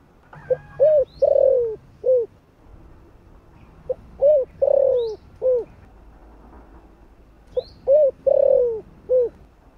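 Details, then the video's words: Spotted dove singing in the 'thổ' voice style, used for luring wild doves: three repeated phrases about every three seconds, each short coos around a drawn-out falling coo, with thin high chirps from another bird between phrases. "Cu gáy giọng THỔ ( không biết thổ gì ) kích bổi cực hay"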